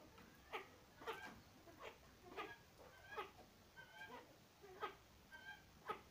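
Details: Male satyr tragopan displaying, giving a run of short, nasal, bleating calls, about one every half second to second, some bending up and down in pitch, in a quiet setting.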